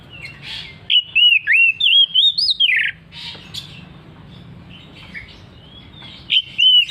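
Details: Oriental magpie-robin singing ngeplong ngotot style: a burst of loud, looping whistled notes that climb and fall sharply, then a long quiet stretch with soft notes, and a brief loud whistle near the end.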